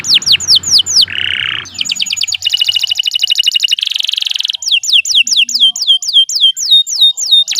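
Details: Canary singing in a long, lively style used to tutor other birds: falling whistled sweeps, a low buzz, rapid rattling trills and a dense buzzy stretch, then steady repeated descending whistles.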